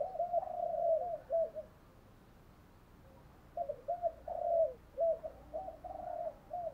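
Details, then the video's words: Spotted dove decoy cooing, male and female, for stimulating trained birds; two bursts of soft rolling coos separated by a quiet pause, with steady low background hiss. "tiếng chim cu gáy thúc đấu. cu gáy kích bổi nhanh nổi gù, chim cu mồi giọng hay dùng tập bổi"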